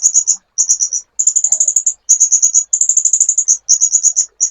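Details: Sunbird song from a master recording for training songbirds: needle-thin, fast-repeated notes in clipped bursts of under a second, separated by small silent gaps.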